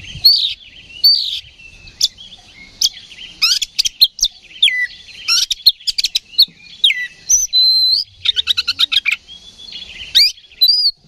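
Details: Oriental magpie-robin in full, excited song, provoked to fight by a decoy recording: rapid varied whistles, sharp chips and fast trills, a dense rattling burst in the middle, loud and nearly continuous.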